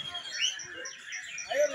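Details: Young white-rumped shama (Borneo form), hand-raised from a chick and twice moulted, singing at a bird-song contest where it won first place: rich, varied whistled phrases, sharp rising notes and quick trills amid other competing songbirds and faint human voices.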